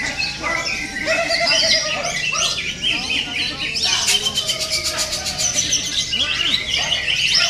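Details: Green leafbird (cucak ijo) sounds for competition training and luring other birds to sing: dense high chirps and trills, a rapid buzzy pulsed burst midway, and a faint human voice underneath.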